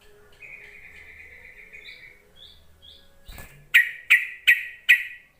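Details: Yellow-vented bulbul call to draw lazy bulbuls into singing: a soft buzzy trill with small rising notes, a brief thump, then four sharp, loud notes spaced about half a second apart.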